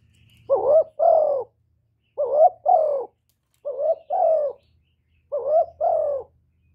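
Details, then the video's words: A spotted dove calls continuously to lure other doves. Four double coos arrive evenly about every one and a half seconds, each a rising note then a fuller descending note, over faint low background rumble. "CU GÁY LIÊN TỤC KÍCH BỔI RẤT HIỆU QUẢ"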